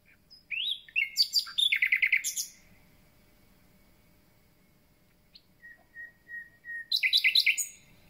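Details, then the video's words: Newly arrived common nightingale beginning its song: a jumble of rich rapid notes, a pause, soft low whistles, then another loud, rapid burst. "Słowik rdzawy i jego piękny śpiew"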